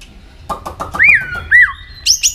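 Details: Contest-trained white-rumped shama giving a few clicks, then two long slurred whistles that rise and fall, ending in high sharp notes.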